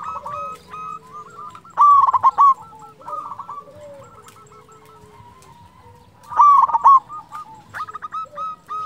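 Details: Local zebra dove singing a sweet, lively song. Staccato mid-pitched cooing notes repeat in runs, with two louder clustered bursts. A low steady hum runs underneath.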